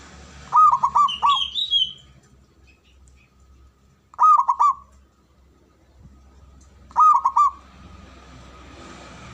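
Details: Male zebra dove repeating a rolling phrase of hollow, stuttered coos about every three seconds, three phrases in all, with a short high chirp from another bird during the first.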